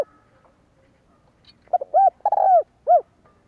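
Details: One phrase of a spotted dove's 'kích bổi' call, used to excite decoys: a couple of brief coos, a longer falling croo and a last clear coo after a quiet opening.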